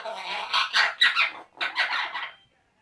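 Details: Two male Eclectus parrots chatter to each other in two quick bursts of harsh, raspy squawks and squeaky, speech-like noises, with a brief pause between them.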